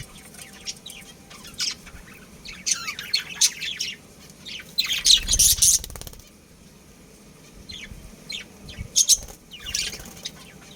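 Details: A breeding pair of budgerigars chirps in rapid, irregular bursts of high twittering and warbling notes, broken midway by a loud burst of wing flapping, then quieter scattered chirps.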